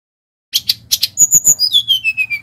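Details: Brief vigorous phrase from a Bali brown-chested jungle flycatcher, used as a lure: a few sharp chips followed by a falling series of clear whistled notes.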